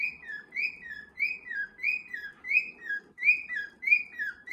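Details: Cockatiels kept at home, one young male working to join the others' march; rhythmic whistled phrases, each a rising note followed by a falling one, repeated about every half second.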